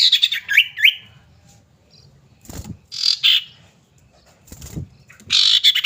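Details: Female common iora calling a male, kept as a lure bird: fast buzzy chatter with rising slurred notes, a short rasp midway and another buzzy burst at the end, with knocks between.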